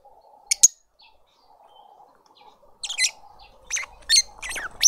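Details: A juvenile lovebird being fed by its family in a suburban garden in Pretoria, South Africa; two sharp high squeaks, a quiet pause with soft hum, then a series of loud shrill chattering calls.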